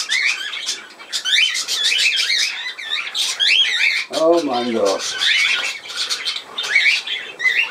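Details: Budgerigar chattering indoors in a continuous warble of rapid, wavering whistled notes and bursts, with a brief lower voice-like stacked sound around the middle.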